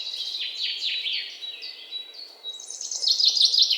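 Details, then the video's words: Birds chirp in quick falling notes, then a bright, rapid high trill rises to the loudest part near the end, over thin background twitters. "bird chirping sound"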